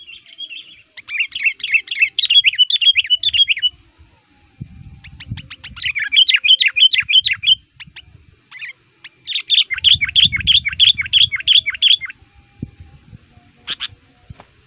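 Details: Sooty-headed bulbul, an aggressive lure bird for attracting wild males, delivering three long rapid runs of bright chattering notes separated by pauses, with faint low rustling between bursts.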